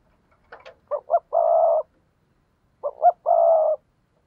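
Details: Spotted dove in thúc gù cooing style, used as a lure to set wild doves cooing in reply. Two phrases, each of two short clipped hoots followed by a long, steady, burry coo, with a faint rustle before the first.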